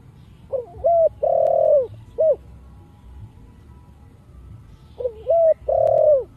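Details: Spotted dove singing in the Thổ Sấm voice style, used to stimulate other doves into calling. Two low cooing phrases, each a soft lead-in note, a steady coo, a long drawn-out loud coo, and a short closing note.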